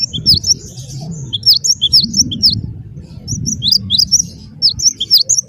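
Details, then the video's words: Gelatik batu of the wingko variety, used to prompt other birds to sing; continuous high, twittering whistled phrases, notes slurring up and down rapidly, over a steady low background rumble. "gelatik batu wingko gacor wiceh auto jernih segala jenis burung pasti ikut gacor"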